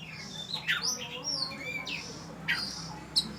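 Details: Oriental magpie-robin from Falami subdistrict, Phatthalung, Thailand: sweet, rising and falling whistles and slurred notes at varied pitches, with occasional sharper chips, against a noisy background hum.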